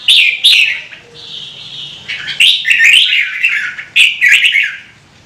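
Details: Red-whiskered bulbul song, a bird kept by Vietnamese hobbyists, sung to spur other birds into singing: bright warbled phrases with one sustained level whistle in the middle, then quick rising-and-falling notes, over a faint low hum.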